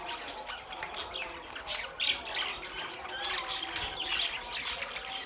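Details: Chorus of budgies with overlapping rasping squawks and quick twittering chirps, louder bursts near two, three and a half, and four and a half seconds.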